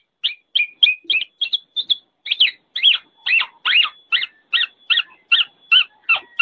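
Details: Black-naped oriole repeating sharp, downward-sliding notes about twice a second. The notes grow fuller and more emphatic midway, and a faint steady tone hums behind them.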